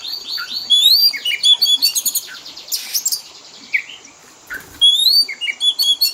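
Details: Lure recording of a pet Oriental magpie-robin's fill-in song for teaching mimicry. Clear rising whistles and chattering phrases, two bursts of harsh noisy notes, a brief lull, then more thin rising whistles.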